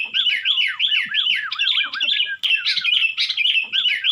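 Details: Sooty-headed bulbul, East Java, delivering its hard-pressing 'Nggaruda' song: quick chains of curved, swooping whistles repeated almost three times a second, with a short break midway.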